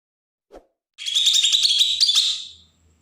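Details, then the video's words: Agitated provoking song of a Bornean green leafbird from Berau, Kalimantan: one dense buzzy burst of fast chattering high notes lasting about 1.5 seconds, preceded by a soft tap. "cucak ijo Kalimantan suara besetan pancingan burung bakalan"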